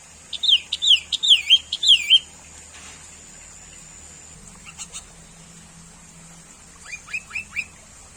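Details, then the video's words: Sooty-headed bulbul, a common bird, opening with a fast series of looping, wavering whistles, then a pause and a short burst of quick upslurred chirps near the end. A faint low hum sits underneath. "SUARA BURUNG KUTILANG - BURUNG CANGKURILENG"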